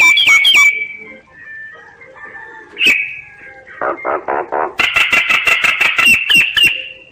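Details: Singing common myna: a loud whistled and harsh opening phrase, quieter warbling, a sharp note, then a fast series of scratchy chattering notes ending on a sustained whistle.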